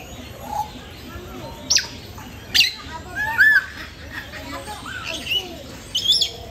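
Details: An African grey parrot at Jurong Bird Park, Singapore, gives scattered sharp whistles and squawks, including a clear arched whistle, against a murmuring aviary background with faint voices.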